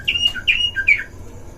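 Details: Oriental magpie-robin (kacer) in a breeding cage, a duel recording used to provoke other magpie-robins: three short clear whistled notes, the first and last sliding downward, spaced about 0.4 seconds apart, over a quiet low hum.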